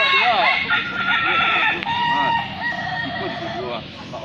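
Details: Balenggek chickens at a crowing festival in Solok City: roosters crow in runs of short, rapid arched syllables that step down in pitch, over a dense background of other birds and voices.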